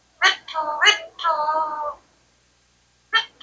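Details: Indian talking parrot speaking in a small room: a sharp syllable, then two drawn-out, voice-like words with steady tones, a pause, and another short, clipped syllable.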